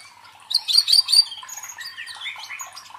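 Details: Brief snatch of white-rumped shama song, used as a lure to train contest birds' fighting spirit: a loud high chattering phrase, followed by softer scattered whistled notes.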